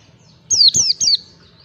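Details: White-eye training lure in ngalas style: three quick, high, thin notes sliding downward, given in one brief phrase with soft low background hum.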